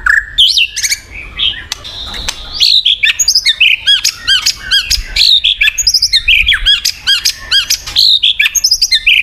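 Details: White-rumped shama, used as a lure to prompt silent shamas, pours out a rich, varied song of loud whistles, sweeping slurs and sharp chattering notes in quick, nearly unbroken phrases.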